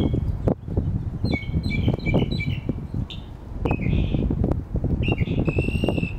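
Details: Northern mockingbird singing in a residential neighborhood, recorded through a camera with a telephoto lens propped on a car: short bright chirped and slurred phrases, several repeated, over heavy low rumbling wind noise and handling thumps.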